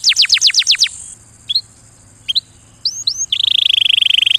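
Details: A quick volley of falling whistles from a canary, a pause with a few isolated upslurred chirps, then a long fast buzzy trill that holds its pitch. A faint steady hiss sits high above.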